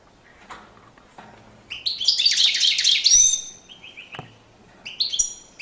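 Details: European goldfinch in courtship display, with scattered high chirps building into a dense, tinkling twitter over about a second and a half, then more separate chirped notes.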